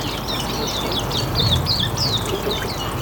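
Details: Riwikan chatter of a Hume's white-eye, kept as a lure to attract other birds: quick, thin, high chirps and short slurred notes repeat about three times a second over a noisy, humming background.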